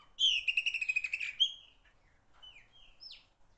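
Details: Chopi blackbird, known for singing loudly, opening with a strong, rapid rattling trill over a falling whistle, then a few quieter downslurred whistles.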